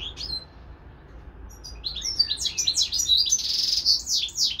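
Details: European goldfinch kept as a pet alongside a hybrid serin x canary. A soft start with scattered notes builds into loud, rapid descending twitters and buzzy trills.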